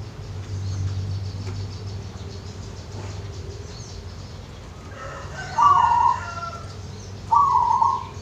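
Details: Wild zebra dove in natural surroundings at Wonogiri, heard as two brief rolling trilled coo bursts about two seconds apart after several seconds of low ambient hum and faint background sounds.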